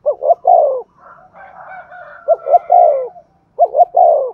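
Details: Spotted dove cooing in the Thúc Gù style as a lure for wild doves. Three low phrases of two clipped notes plus a long falling coo, with a faint warbling bird between them.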